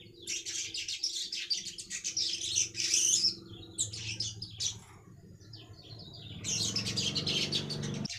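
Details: Baya weaver used as a lure to attract other weavers, giving a long rapid chatter of high, dry, buzzy notes that breaks off briefly and then resumes with a fast, dense burst over a low hum.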